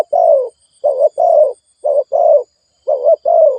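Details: Fast cooing of a spotted dove meant to excite decoy birds, low rounded coos in quick paired bursts, short pauses between groups, otherwise quiet.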